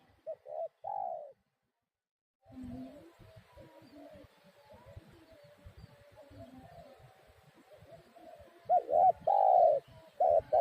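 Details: Spotted dove cooing: three soft, low, hollow coos open, followed by a noisy stretch with faint murmuring, then louder repeated coos return near the end.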